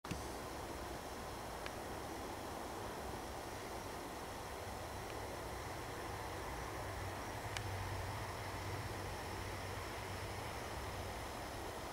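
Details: Steady low rumble of wind and distant traffic, with a few faint clicks and no clear animal calls.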